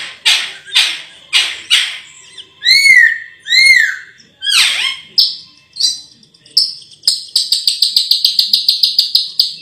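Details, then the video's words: Raja perling, the Sulawesi myna, singing: a series of loud, sharp downward-sweeping notes, then arched whistles, and at the end a fast buzzy rattle of rapidly repeated high notes. "BURUNG RAJA PERLING ‼️suaranya merdu sekali"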